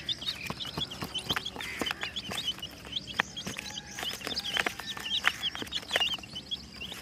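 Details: Rainbow-colored chicks, a group of many, peeping constantly: short, high, arched cheeps overlapping in a busy chorus, with scattered sharp clicks and taps throughout.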